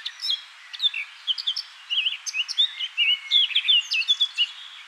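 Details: A male Eurasian blackcap perched in a bush by the River Honddu at Pandy near Abergavenny, South Wales, sings a rich, fast warble of varied fluty and scratchy notes that runs on without pause. It then hops higher up the bush and leaves.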